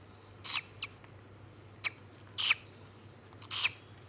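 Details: White-bellied caique, recorded 27 August 2022, giving harsh shrill screeches, some sliding downward, spaced roughly a second apart, five calls in four seconds against a quiet background.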